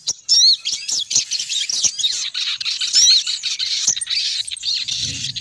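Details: Sogon bird female lure call for attracting males: loud, dense, high squeaky twittering with whistled downward notes, nearly unbroken throughout, and a faint low murmur at the end.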